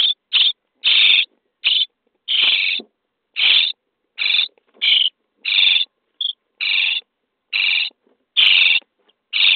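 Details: Common starling chicks in a nest box being fed, day 23: about fourteen raspy, wheezing calls of varying length in an uneven rhythm, one clipped short note near the middle.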